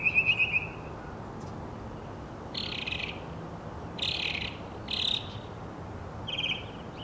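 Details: Northern mockingbird song: a quick rattling trill opens, followed by harsh, raspy notes given about once a second and a final softer burst, with pauses between.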